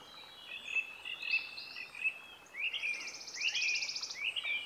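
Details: Bolivian blackbird recorded at Maragua, Sucre, Bolivia, in April 2023; chattering, slurred notes mixed with a buzzy rattling trill in the second half, and a quiet open-air background.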